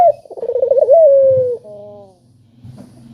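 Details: Spotted dove lure call to spur silent doves: a rippling, throaty run of short notes, then a long smooth coo sliding gently downward. A soft low hum continues underneath as it fades.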